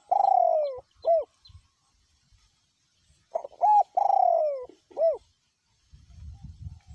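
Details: Spotted dove decoy bird cooing in strong wind, voice style small to middle; two phrases, each a drawn-out falling coo followed by a short hooked note and preceded by brief clipped coos, with low rumbling at the end.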